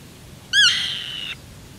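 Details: Black-tailed Godwit (Limosa l. limosa) in Uitkerkse Polder, Belgium, in June 2016, gives one nasal, harmonic-rich call that arches briefly upward, then draws out flat for almost a second against quiet background.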